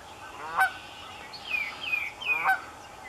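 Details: A Canada goose at Raymond Brook Marsh, Amston, Connecticut, in cold air gives two loud, harsh honks about two seconds apart, with softer falling yelps between them.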